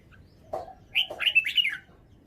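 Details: Red-whiskered bulbul giving one short song: a soft lower note, then a quick cluster of clear, rising and falling whistles.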